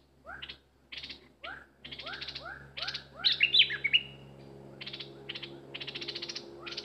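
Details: An excited decoy bulbul alternates upward-sweeping whistled notes with dry rattling chatter, a loud squeaky warble bursting out in the middle.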